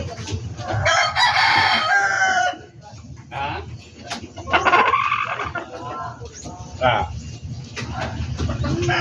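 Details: Backyard poultry kept by a breeder: roosters crow in overlapping bursts, loud harsh drawn-out cries rising and falling, amid clucking hens and a steady low rumble in the background.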